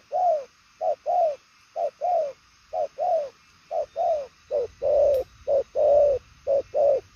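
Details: Cooing spotted dove, purple-legged, noted for fast, far-reaching cooing: deep mellow coos in quick short-long pairs, evenly spaced about once a second, with a faint click midway.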